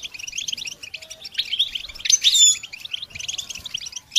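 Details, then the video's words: Goldfinch singing for training young songbirds, rapid chirpy phrases in short clusters, swelling midway into a louder run with fine whistled glides, then a sharp final note. "integrated stimulation suitable for all songbirds for goldfinches"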